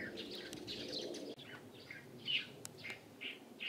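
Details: Scattered, clear whistled chirps of a light-vented bulbul, recorded 16 April 2023, spaced about a second apart after an opening of busier twittering, with a few sharp clicks.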